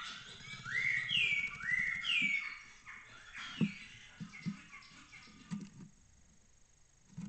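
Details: Starling waking at 07:00 after a night in a nest box at a lesser kestrel colony in Cabañeros National Park, Spain, stirred by other starlings' calls: a few clear, rising whistled calls in quick succession, then soft thumps and scratching close by.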